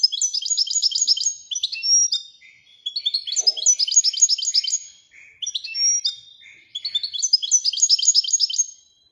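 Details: Moroccan goldfinch delivering Widani-style song. Dense, fast metallic twittering comes in four phrases separated by brief softer buzzy notes, and the pace is rapid throughout.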